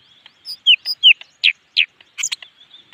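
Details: Leafbird in very fired-up singing form: a short burst of sharp, downslurred whistles alternating with clipped chirps and a few high ticks, about eight loud notes in three seconds, over a quiet background.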